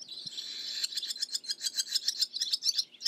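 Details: Barn swallow song opening with a sustained high buzzy note, then breaking into a fast, regular series of clipped chirps, roughly four per second.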